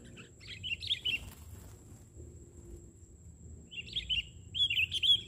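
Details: Sooty-headed bulbul at a trapping spot, singing on the ground instead of a branch: short liquid whistled phrases separated by a long quiet gap, with faint low background noise.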